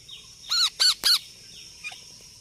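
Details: A parrot making sounds: three short, grating screeches about a third of a second apart, then quiet with a faint high chirp.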